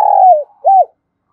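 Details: Decoy spotted dove in Đồng Nai, Vietnam, calling to attract wild doves; a fragment with the tail of a long gliding coo falling in pitch, then a single arched coo.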